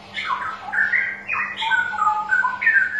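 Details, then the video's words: A straw-headed bulbul, used as a lure for bulbuls reluctant to sing, pours out loud, rich, bubbling whistled phrases that slide up and down in quick succession, over a faint steady electrical hum. "Suara Pancingan Burung Cucak Rowo Malas Bunyi"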